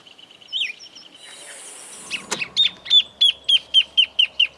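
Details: Grassland Yellow-Finch (misto, Sicalis luteola) recorded in Esperanza, Santa Fe, Argentina, 2023: a brief whistled note, then a steady series of sharp, bright chirps repeated about four times per second.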